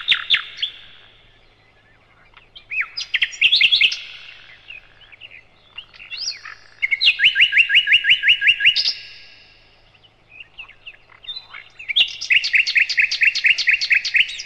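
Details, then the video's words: Nightingale song, the bird known locally as sikatan londo, for tutoring caged birds: loud varied phrases alternating with long fast trills of repeated notes, separated by brief pauses. "Materan Burung Sikatan Londo"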